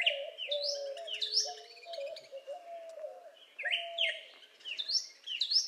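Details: Northern Cardinal giving loud slurred whistles, each sweeping sharply up or down, delivered in spaced groups of two or three, while a lower, softer voice keeps up a steady background warble.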